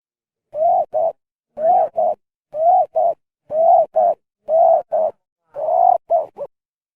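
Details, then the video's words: Spotted dove with an unusual voice, perhaps from eating the wrong food, cooing in double notes: a fuller rising-falling coo then a clipped second note, repeated six times at roughly one-second intervals, ending in a three-note burst; nothing else audible. "suara burung derkuku _nya jadi begini"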